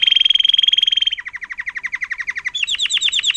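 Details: Learned Timbrado song from a canary of agate topaz intensive yellow colour, 2018: a rapid steady high trill, dropping into a slower lower rolling trill, then rising into loud bubbling higher notes.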